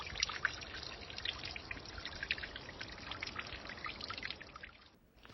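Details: Steady trickling and pouring water fills the clip, with no animal voices standing out.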